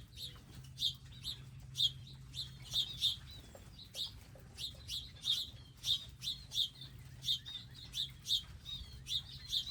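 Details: Wild birds visiting a garden feeding area with feeders, seeds and water; short sharp chirps repeat steadily, roughly one or two each second, with a low steady hum beneath.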